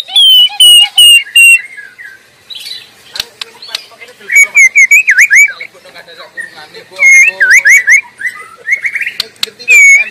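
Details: White-rumped shama singing in the wild: loud clear whistled phrases, a repeated slurred note series, then rich warbling twisting whistles with sharp ticks, varied and melodious, used as a lure and master song for caged birds.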